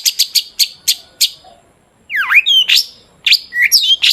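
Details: Long-tailed shrike in full song, used as a lure to get other shrikes singing: a fast run of sharp clicky notes, a brief pause, then swooping whistled slurs mixed with harsh chattering bursts.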